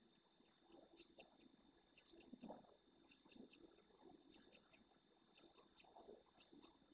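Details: Male black redstart, probably wintering, in the Doñana National Park marshes in Spain, perched on a building roof in wind, gives high, dry ticking notes in quick clusters of two or three, about every second, over thin hum and soft wind.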